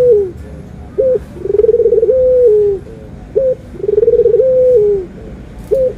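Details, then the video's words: Puter (Barbary dove) giving clear anggungan coos, white and brown doves compared: a sharp upturned note, a vibrating burr flowing into a long steady tone with a falling tail, repeated in regular cycles of roughly two and a half seconds. "PERBEDAAN SUARA ANGGUNGAN BURUNG PUTER PUTIH DENGAN PUTER COKLAT"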